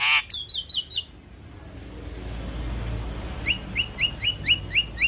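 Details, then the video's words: Javan myna song, master recording for young birds: brief run of repeated high chips, a quiet pause with low rumble, then a regular series of about seven short whistled chirps. "Suara Jalak kebo MAsteran Buat Pancingan Burung Jalak Kebo Muda"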